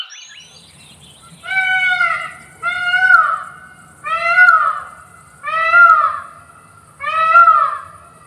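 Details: Male Indian peafowl repeating its loud, far-carrying cry, five strong nasal wailing notes, each arching up then down, spaced roughly every one and a half seconds, with a faint high whine and low rumble beneath.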